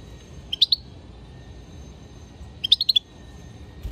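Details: Singing European goldfinch: a short triple chirp followed two seconds later by a longer, quick series of bright, high twittering notes over faint hum.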